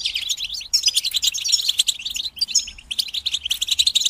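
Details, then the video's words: European goldfinches singing together, a group chorus used to encourage goldfinches to sing during moult; dense high twittering and tinkling trills with brief pauses, several birds overlapping. "بتبتة جماعية تساعد الحسون على التغريد والخروج من مرحلة غيار الريش"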